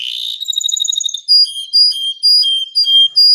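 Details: Gacor canary singing for mastering: a fast rattling trill, then loud pure whistled notes alternating between two pitches, each held briefly and repeated about twice a second.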